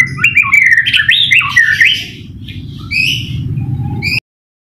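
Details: White-rumped shama (murai batu) song for training other birds and provoking them to sing: rich warbling, twisting notes in a fast stream, then sparse higher whistles before ending abruptly, with a low background rumble throughout.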